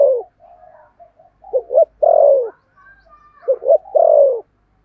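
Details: Decoy spotted dove singing the 'thổ' voice to attract other doves: low soft notes, then two full phrases of paired short coos ending in a long, downward-sliding coo.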